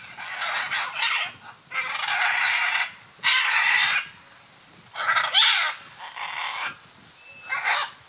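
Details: Scarlet macaws in courtship display, Playa Blanca, La Palma, Osa Peninsula, Costa Rica: rough, rasping screeches in uneven bursts of one to two seconds, with a faint thin whistle from another bird in the background.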